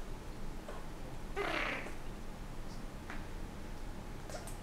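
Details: Pet Senegal parrot indoors in breeding season, courting its owner's hand: one short, harsh, rasping squawk burst lasting about half a second, with faint clicks afterwards in a quiet room.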